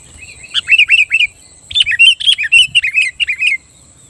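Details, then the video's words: Sooty-headed bulbul in full song, provoking rivals to join in: long, fast runs of bright, bubbly whistled notes rising and falling, two connected bursts lasting several seconds, with a faint steady high hiss. "Suara burung kutilang gacor Ampuh Menekan Lawan Kutilang Lain Langsung Emosi dan Ikut Gacor"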